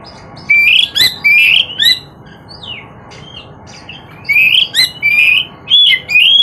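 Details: Oriental magpie-robin in continuous song, bright whistled and slurred notes in rapid runs of short phrases, a pause of about two seconds, then another burst of loud, varied whistles.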